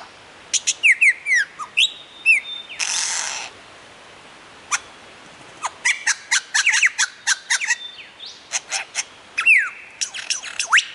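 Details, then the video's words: Lyrebird on a mound near Warburton, Victoria, mimicking several other birds: a rapid medley of sharp clicks, falling whistles, a harsh rasping burst and bright ringing notes in quick succession. "Lyrebird Performing"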